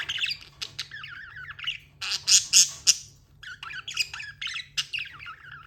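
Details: Tame budgies chattering: wavering warbles and rapid squawky chirps, several loud sharp bursts near the middle, then more rolling chatter, over a steady low background hum.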